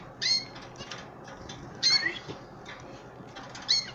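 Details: Pet canary chicks and an older canary being hand fed; short bright chirping bursts repeat at intervals, with quieter faint calls and rustling between them.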